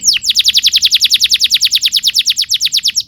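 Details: Canary song for teaching young canaries to sing: a fast, even rolling tour of sharply descending whistled notes, about eight per second throughout.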